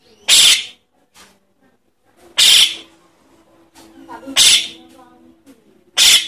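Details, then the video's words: Javan myna chick begging, a recording used to lure adult birds: loud, harsh, rasping hisses about a third of a second long, repeated roughly every two seconds, with a faint low hum between them. "Suara anak jalak kebo untuk pikat burung jalak kebo indukan"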